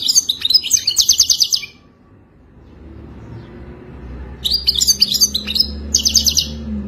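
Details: European goldfinch in authentic Wadani song, for mating: a fast tinkling twitter phrase, a pause filled with low hum, then two more short bursts of rapid liquid trills.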